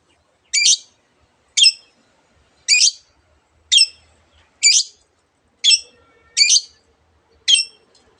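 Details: Long-tailed shrike (cendet) gives a string of single harsh, rasping notes, about one per second, eight in all, each short and evenly spaced against near silence.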